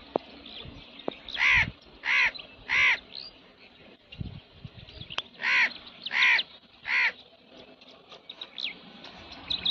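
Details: Indian crow cawing: two bursts of three loud, harsh, broad caws, each about half a second long, the series spaced roughly 0.6 seconds apart with a pause between groups; faint chirps of other small birds in the background.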